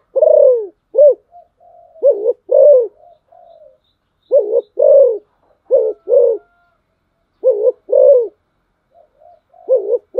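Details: Spotted dove kept as a decoy, cooing steadily in low, mellow phrases of a doubled note, a long arched coo and a short final note, repeated roughly every two seconds, with faint chirps between.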